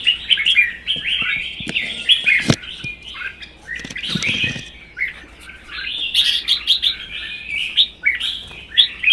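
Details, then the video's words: Red-whiskered bulbuls competing in song in Vietnam, one captive-bred and one wild-caught adult, both caged; dense, chattering whistled phrases continue almost without pause, broken by sharp clicks and knocks from the cages. "CHÀO MÀO | Hót đấu kích ché CB Phi Mã2 & già rừng xòe cứng 1 mùa"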